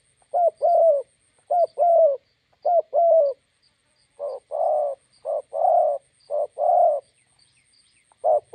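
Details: Spotted dove, a decoy bird meeting a wild bird by the roadside, giving low paired coos in short groups, then a longer run of rounder coo notes roughly every half second; faint high chirping behind.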